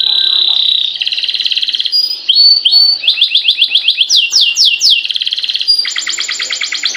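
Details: Canary in long, continuous gacor-style singing, offered as playback to set other canaries singing; steady high trills of rapid repeated notes change every second or so, with rolling tours, sweeping chirps and a fast buzzy trill at the end.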